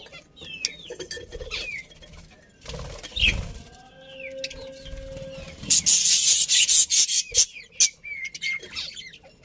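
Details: Happy budgies in a colony: scattered short chirps, then a dense burst of high, buzzy, scratchy chatter near the end, with a faint steady hum underneath.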